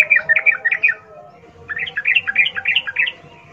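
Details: Sooty-headed bulbul's wild, fast rolling song, played to get caged birds singing; two phrases of lively bubbly notes rising and falling, separated by a short quiet gap.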